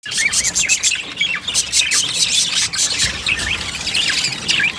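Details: Green budgerigars chatter with dense, high, scratchy chirps and warbles that overlap continuously.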